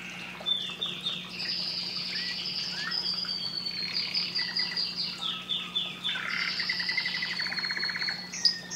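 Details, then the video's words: Canary song heard more softly against a noisy background: rolling high trills, sliding whistles and a quick buzzy rattle near the end, over a constant low hum. "Canary bird singing"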